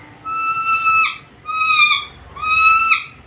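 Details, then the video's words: Black-capped lory, described as highly vocal, able to talk and making varied sounds: three long, clear, level whistles with rich overtones, each ending in a quick downward slur, spaced about a second apart. "MASTERAN BURUNG NURI KEPALA HITAM GACOR BISA NGOMONG SUARA BERVARIASI"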